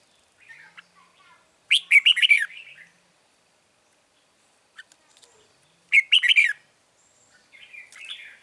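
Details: Red-whiskered bulbul near a trap baited with a lure bird, 9 March 2020, giving two vigorous, chattering warbled phrases about four seconds apart, with scattered softer chirps around them.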